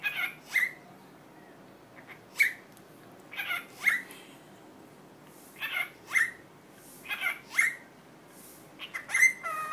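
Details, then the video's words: Pet cockatiel repeats short, raspy two-syllable phrases mimicking the Korean greeting "annyeong" it has learned, about every one to two seconds, in a quiet room. "왕관앵무 안녕이란 말을 배우다 My cocatiel Dooly learned 'Hello' in Korean. 'Annyunghaseo' and 'Annyung'"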